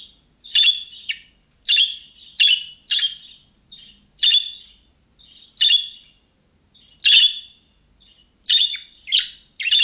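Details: Calling-style chirps of young budgerigars, which other budgies reply to; about fourteen sharp, scratchy notes over ten seconds at an uneven pace, several in quick pairs.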